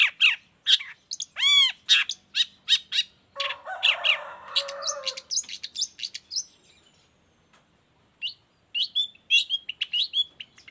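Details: Long-tailed shrike in vigorous song, suited to teach and stir other shrikes. Loud chirps and a rising-falling whistled series, a burst of harsh rattling, a short pause, then more quick chirps.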